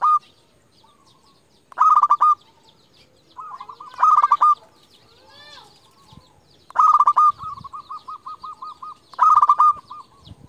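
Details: Zebra dove lure bird for calling rivals repeats loud trilled rolling coos every two to three seconds, five phrases in all, one followed by a long string of soft evenly repeated pulsing notes.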